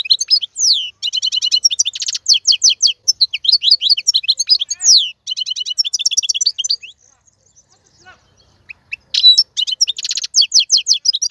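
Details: Male European goldfinch, a caged singer kept for tutoring young birds, delivering fast twittering song: rapid tinkling trills and liquid notes, a short pause near eight seconds, then renewed twittering.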